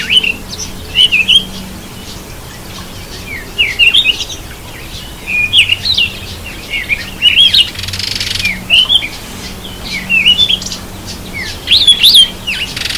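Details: Cape robin-chat taking a bath: sharp, high chirps that twist up and down, given in short bursts every second or two across the recording, with a faint low hum underneath.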